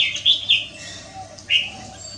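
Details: Afternoon song of a red-whiskered bulbul on 6 December 2023: two quick whistled chirps close together, a pause, then a single clear slurred note, over a faint low hum.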